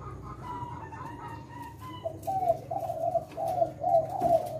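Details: Indonesian spotted dove, Leopard type, in lively kuk 6 style song. Faint higher cooing opens the clip, then a run of louder mellow coos arrives in quick succession over steady low rumble.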